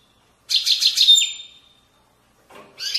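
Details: European goldfinch from Moroccan valley banks, Widaniya song style: a one-second burst of buzzy rattling notes ending in a thin drawn-out whistle, silence, then a short rough fragment.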